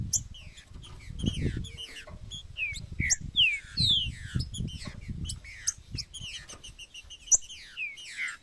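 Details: Macheado and piado style singing of a Green-winged saltator, played to warm up a kept bird: clear downward-sliding whistles in quick series, with scattered low thumps and noise beneath.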